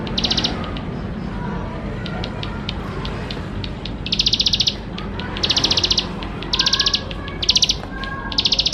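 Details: Bar-winged prinia in vigorous, richly filled song used to encourage young birds to sing; a few scattered faint notes at first, then six bursts of rapid high pulsed notes in the second half.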